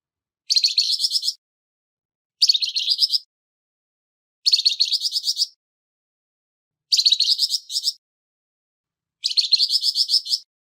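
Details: Flamboyan bird with a harsh voice, used to tutor songbirds: five short, coarse, buzzy bursts of rapid chattering notes, each under a second, repeated about every two seconds with silence between.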